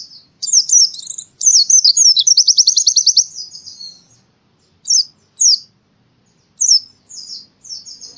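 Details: Pleci (white-eye) singing as in the forest, Central Java, Indonesia, recorded as training audio for songbirds: high twittering opening, a long fast rattling trill of about twenty notes, then short separated sharp chirped phrases, clean background.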